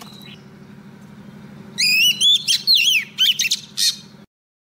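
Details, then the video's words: Lure female Oriental magpie-robin singing to draw a male: after a near-silent start comes a bright rising whistle, then varied slurred notes and short harsh bursts, ending abruptly; low hum throughout. "Choè than mái mồi hót gọi trống cực hay"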